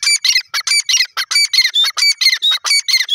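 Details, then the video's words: Grey francolin, known locally as Irani gora teetar, giving a loud series of harsh, squawky notes in quick succession, each a short burst with a clear overtone band, repeated steadily throughout with brief gaps between notes. "irani gora teetar bird ki awaaz"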